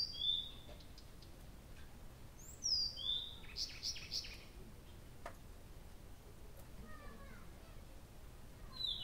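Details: Nightingale singing through the night at Abramtsevo in early June, recording begun 6 June 2021 at 23:00: high sliding whistles and a quick burst of rapidly repeated notes, separated by pauses, over a low steady background hum.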